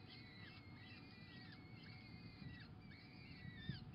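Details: Peregrine falcon nest where a female is feeding pigeon to her chicks, 26 April 2021: thin, high, squeaky downslurred notes in short strings, over a steady low rumbling background.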